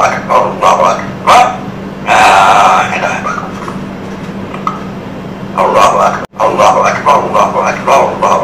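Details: A black-capped lory mimics a human voice reciting the iqamah (Islamic call to prayer) in short, raspy, speech-like phrases, over a steady low electrical hum.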